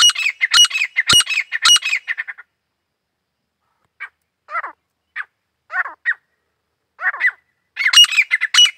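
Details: Grey francolin (Desi Teetar): loud, harsh, rapidly repeated squawking notes in a run of about two and a half seconds, then scattered softer single notes, then another loud harsh burst at the end.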